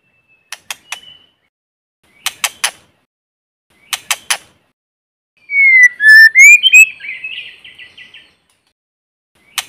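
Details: White-rumped shama singing as a decoy in forest: spaced groups of two or three dry clicks, then a single rising whistled phrase that breaks into a short rattle, in silence otherwise.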